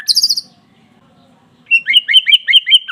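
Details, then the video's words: White-rumped shama song used to spur a caged bird to sing: a brief high trill, a gap, then a loud run of quick repeated whistled notes. "Pancingan murai batu pastol biar cepat bunyi gacor emosi"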